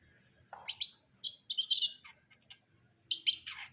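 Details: Long-tailed shrike, known as cendet brundol, delivering quick bursts of twittering, chirpy notes and a few short whistles in clustered phrases, over a faint low hum.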